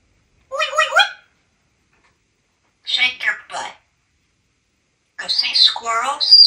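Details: A talkative pet African grey parrot living in a home in Texas, perched on the edge of a trash can, talking in three bursts of clear, high, speech-like phrases separated by silent pauses in a quiet indoor room.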